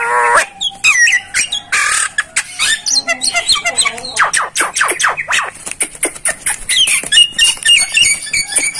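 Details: Javan myna in a recording for tutoring other mynas: a lively medley of sliding whistles, sharp clicks and chattering notes, rising and falling in quick succession throughout.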